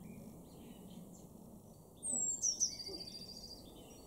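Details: Eurasian blue tit (Cyanistes caeruleus) song in a garden in Weener, East Frisia, northwest Germany, March 2024: a very high, thin descending note, then sharp notes running into a soft, high trill, over steady hiss.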